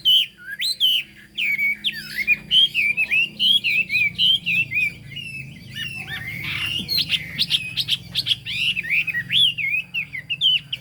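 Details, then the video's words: Chinese hwamei singing in the 'cao cầu' high style, a bird described with a fig-leaf tail and turmeric-coloured bill. Loud, rich whistled phrases slur up and down almost without pause, ending in quick repeated notes, over a faint low hum. "Họa mi hót cao cầu"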